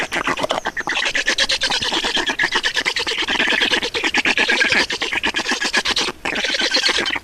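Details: Feeding time at a black stork nest in Estonia, 2019: continuous scratchy, rattling chatter of fast pulses, with brief dips before it resumes.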